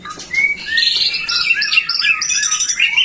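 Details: White-rumped shama singing energetically, used as a lure to prompt other shamas to sing; varied clear whistled phrases, rising and falling slides and warbled notes flow without pause across a bright high range.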